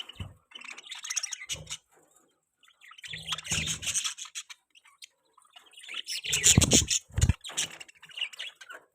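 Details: Pet budgerigars chirping: busy, scratchy chatter of quick high chirps and buzzy warbles in irregular bursts, with rubbing, scraping noises and low thumps between, and a short quiet gap near two seconds.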